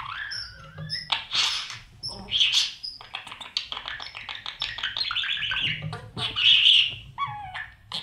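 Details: Budgie babies in a breeding nest box while parents feed them: dense, rapid scratchy chirps and squeaks, with a few brief whistled rising notes among the chatter.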